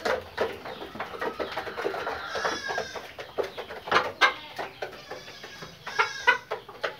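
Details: Pakistani Fayoumi chickens, a daily egg-laying breed, giving irregular short clucks and a few higher squawks, roughly one every two seconds, amid a continuous murmur of other flock calls.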